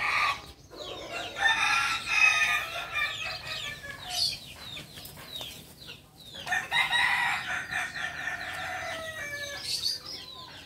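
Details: Kukuak Balenggek chicken, a native breed from Solok, West Sumatra, giving two long, stepped crows. Each lasts about four seconds and chains many rapid, warbling syllables. The first starts near one second, the second near six.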